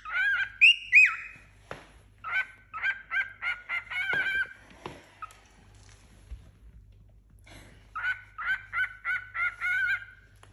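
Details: Playful tame male cockatiel around four months old kept as a pet with a new companion: rapid series of repeated whistled chirps, about three per second, in two bursts with a few clicks and knocks between.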